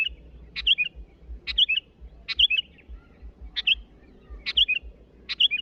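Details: Sooty-headed bulbul calling to rivals, a brisk chip followed by a twisting bubbly whistle repeated about once a second, above a steady low thumping background.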